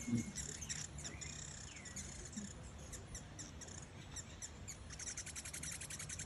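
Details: Fiery-throated hummingbirds in the Costa Rican highlands chatter in thin, very high, dry ticks, in bursts that quicken into a rapid run near the end, over a low room hum.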